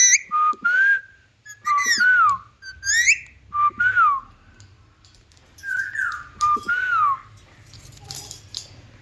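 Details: Indian ringneck parakeet, the talking green parrot, whistling a varied string of slurred notes that rise and fall, delivered in bursts over a steady low hum.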